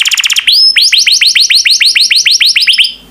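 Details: Yellow canary with a quick trill, then a rising whistle, then a steady series of about fifteen rising-and-falling chirped notes.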